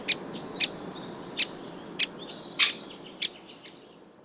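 Great Spotted Woodpecker giving sharp, high 'kik' notes, about seven in four seconds at an uneven pace, over a faint hiss of background noise.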